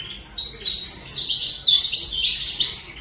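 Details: Colombian saffron finch in continuous song, a dense, unbroken stream of high, scratchy, warbling notes running for nearly three seconds without a break.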